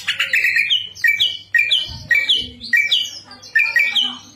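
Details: Greater green leafbird, Indonesian cage bird, delivering a rhythmic song of sharp upslurred whistled phrases repeated about every half second, with softer trills between them and a low hum in the background.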